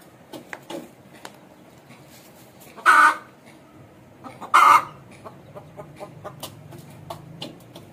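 An Aseel hen gives two loud, harsh squawks about one and a half seconds apart, among soft scattered clucks and clicks in a quiet yard.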